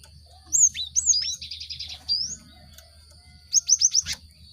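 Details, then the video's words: Cinereous tit, played as a lure to get caged birds singing quickly: high, bright whistled notes with upward and downward slides, then a fast buzzy run of short repeated notes, and a closing burst of five quick sharp chirps. "Pancingan gelatik batu untuk merangsang burung ombyokan cepat bunyi"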